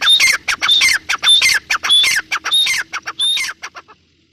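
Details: Female grey francolin (Irani teetar) calling steadily: rhythmic rasping phrases, each carrying a clear high whistle, repeated roughly every half second and fading into softer clipped notes at the close.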